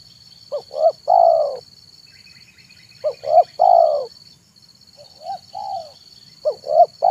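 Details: Zebra dove singing in the afternoon, recorded as a lure for wild and captive doves: phrases of two quick clipped notes and a long rolling coo, repeated about every two seconds, with a steady high-pitched whine behind.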